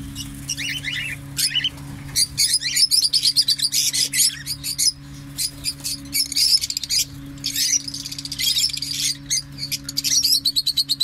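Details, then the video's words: Parrot calling with bursts of rapid, high, pulsed chirps and squeaks, some in quick rattling series, others drawn out, over a steady low electrical hum. "طوطے کی ویڈیو طوطے کی اواز"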